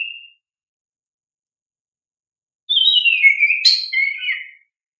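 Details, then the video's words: Kacer (oriental magpie-robin) lure song for young caged birds: a brief whistle tail at the start, then after a pause a single rich phrase of descending whistled notes with high sharp accents. "Pancingan Kacer GACOR"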